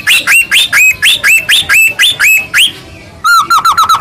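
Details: White-rumped shama singing, used to goad a quiet shama into song: evenly spaced hooked whistles, clear and loud, about three per second, then a pause and a faster burst of lower ringing notes.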